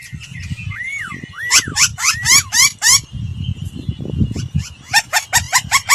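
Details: Laughingthrush lure song for voice training: a row of looping slurred whistles, then a pause and a fast series of sharp repeated notes, with rumbling background noise throughout.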